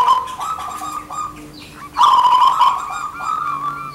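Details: Male and female local zebra doves sing back and forth loudly as a lure: a fluttering coo, a brief lull, then a strong rolling trilled phrase about a second long, fading into softer coos.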